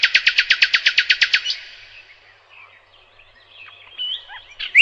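A nightingale sings a fast, loud run of repeated rattling notes, then softer varied twitters.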